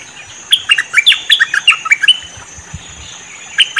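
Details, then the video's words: Cream-vented bulbul calls played as a trapping lure: a lively run of about a dozen quick, liquid chirps dipping and rising, then quiet, with a couple more notes at the end. "Suara pancingan burung MERBAH LEKIR ngebrend auto nyaut"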